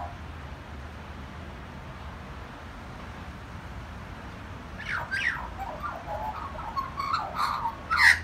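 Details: A magpie singing at a house breaks a quiet spell with a run of varied warbled and chortling notes in mid pitch, some harsher, over faint background hiss.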